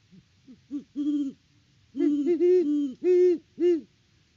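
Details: Great horned owls hooting at the nest on a Kansas farm in October. A few short hoots lead to a sustained hoot, a pause, then a burst of loud, long, overlapping hoots from the pair.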